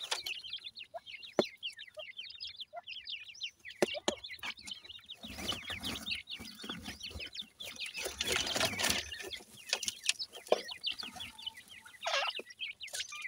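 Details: Grey francolin chicks, the Indian Dakhni teetar, at feeding time in captivity: a dense chorus of short, high, up-and-down chirps, with a louder broad rustling burst midway and scattered sharp taps.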